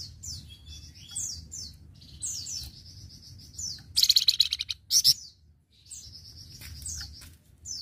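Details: Flamboyan singing as training material for other birds: rhythmic sweeping whistles and chattered phrases repeated, broken by a loud rapid trill and a short sharp burst near the middle.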